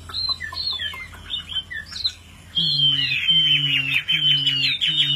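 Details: A tame, well-trained Chinese hwamei, said to be a good fighting bird that sings anywhere even when its cage is shaken, sings loud, rich whistled phrases slurring up and down, then a long ringing high whistle over a low rhythmic hum.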